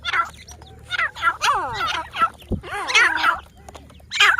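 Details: Loud, coarse calling of grey francolins (teetar) in Pakistan, with curving, looping whistled notes around the middle, a single low thump, and more harsh bursts closing the sequence.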